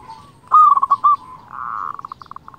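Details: Local zebra dove singing to stir rivals: one loud warbling coo phrase, then a buzzy held note breaking into evenly spaced soft pulses.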